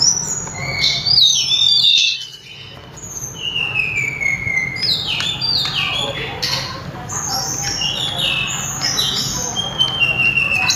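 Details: Sulingan, also called tledekan gunung, delivering a long melodious song: a busy run of crisp whistles and downslurs, a brief hush, then more rapid varied phrases over a low hum.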